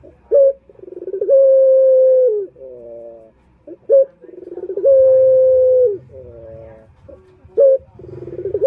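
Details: Repeated calling of a male puter turtle dove for luring males: a short note, a rattle building into a long flat coo, then a descending purr, with a faint low hum behind.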